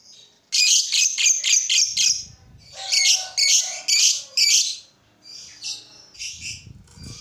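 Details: Lovebird sound for getting other lovebirds to sing: groups of sharp, high, squeaky chirps in clusters of three to five, separated by pauses, with softer chirps at the end.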